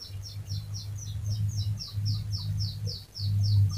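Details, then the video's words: Chirpy canary singing a long rolling phrase to draw other canaries into song: clear high notes, each sliding downward, repeated about three times per second, with a low hum in the background. "Masteran Suara Burung Kenari Gacor Panjang cuit cuit Ngerol untuk Pancingan Kenari.!!"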